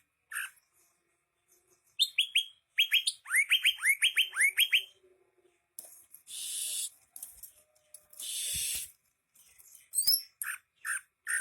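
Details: Greater green leafbird song with quick falling whistled notes in a tight run, broken by loud hissing noise bursts, then resuming with scattered clear chirps and rising whistles.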